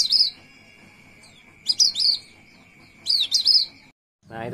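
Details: A protected Javan white-eye (Zosterops flavus) giving its rolling song: three brief bursts of fast, high, tumbling chirps, over a steady thin tone, followed by a man's voice at the end.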